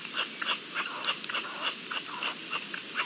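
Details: Partridge calling during the breeding season, April 2021; rough, chattering notes fire in a quick run of roughly three to four per second, each short and slightly rasping, against a quiet hiss.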